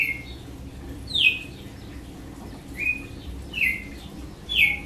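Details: Red-cowled cardinal singing the song style called açoite: loud, short notes slurring downward from about 4k to 2k, given in spaced bursts, with quieter fainter notes between and low background rumble.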